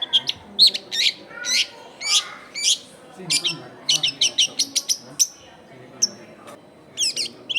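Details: Long-tailed shrike song used as a lure for wild shrikes, recorded amid a busy residential area: a long, varied run of harsh chattering notes, sharp chips and a few thin whistles, delivered in rapid irregular sequences with soft background noise.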